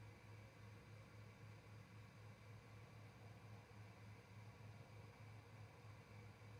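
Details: Quiet low electrical hum under soft, even background noise, with no animal voice present.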